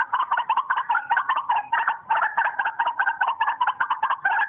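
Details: White-breasted waterhen call played from a phone to lure birds: a fast, steady run of harsh, clucking notes, about one and a half per second, pulsing throughout with no other clear sounds.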